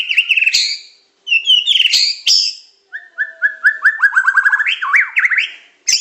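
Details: White-rumped shama, Medan type, in a masteran song of super pancingan, macet, tembakan and isian style: bright twittered bursts, then a long rapid series of short repeated whistles climbing into zigzag trills.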